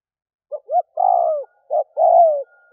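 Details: Spotted dove decoy call meant to lure doves: soft short notes followed by two long, slightly wavering coos that slide downward, close and clear.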